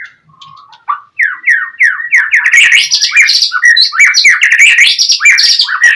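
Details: Gacor song of a white-rumped shama used to trigger a rival's reply: a few soft low notes, then repeated loud downslurred whistles merging into a continuous rich warbling stream.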